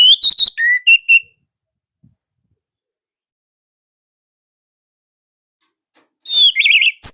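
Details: Orange-headed thrush, a captive Indonesian bird, with a short fast burst of chattering whistles and a downslurred note, long silence, then another loud burst of wavering, trilled whistles near the end.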